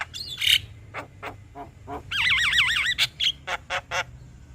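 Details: Singing male Javan myna provoking another myna: scattered harsh clicks and squeaks, then a pair of strongly wavering whistles and a few more clipped notes over a low background hum.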